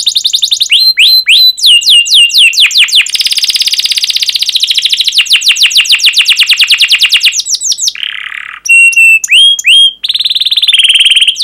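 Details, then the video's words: Canary in full song, used to prompt young canaries to learn: long runs of rapid falling-and-rising chips, a pulsing roll, a brief lower buzzy note, then sharp upward whistles and fast high trills. "PANCINGAN Kenari GACOR PANJANG Cuit CUIT EMOSI"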